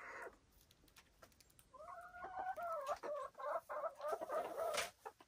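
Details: Silkie chickens on a Vermont hill homestead, giving a quick run of clucking, warbling notes that rise and fall in uneven bursts, with soft scratching and clicking noises in the background.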